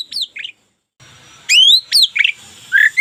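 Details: White-rumped shama of a local strain singing short phrases: quick chirps, a pause, then sharp descending sweeps and warbled notes.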